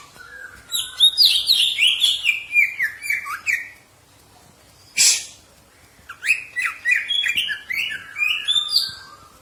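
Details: Green leafbird in a cage singing, played for training birds: two long phrases of rapid tumbling chirps and slurred whistles, separated by a short harsh note and silence.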